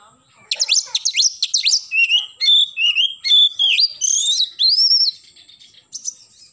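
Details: Singing in the morning, an oriental magpie-robin gives a quick series of sharp downslurred whistles followed by a long varied phrase of clear sliding and level whistled notes, then a brief pause.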